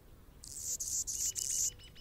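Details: Male Anna's hummingbird defending its territory while a female feeds a baby in the nest; high, dry buzzy bursts run for over a second, broken by brief gaps, then fade into faint thin ticking notes.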